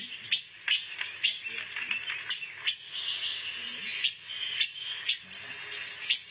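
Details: Rare pancawarna songbird, kept as song material for white-rumped shamas: continuous high scratchy warbling broken by sharp clicking notes, sustained for the whole stretch, with faint speech in the background.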